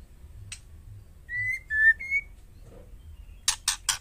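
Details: Female white-rumped shama calling to provoke males into answering: three long, clear whistled notes, steady or slightly rising, run together. Sharp dry rasping clicks follow at the end over a low background hum.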